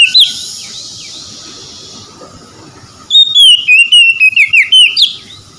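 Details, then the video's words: Oriental magpie-robin in a recording meant to restore a stressed, silent bird to full song: after a faint whistle, a loud series of clear whistled notes that slide up and down in quick succession, against a steady background hum. "TERAPI AMPUH PEMULIHAN KACER SETRES MALAS BUNYI LANGSUNG GACOR"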